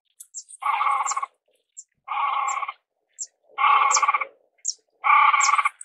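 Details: Great crested grebe (Podiceps cristatus) gives four harsh, nasal, rasping calls, each about half a second long and repeated every second and a half, with faint high ticking notes between them.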